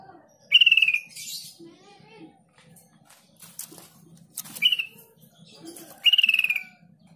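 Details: Sooty-headed bulbul lure song to draw responses from other bulbuls. Three short, rapid descending trills, the middle one briefer, are spread across several seconds, with scattered clicks and rustling noises between them.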